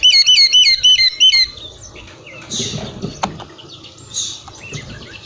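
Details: Oriental magpie-robin whistling to provoke other magpie-robins into answering: a clear, bright whistled motif of rising and falling notes repeated rapidly about six times, followed by softer muddled chatter and background noise.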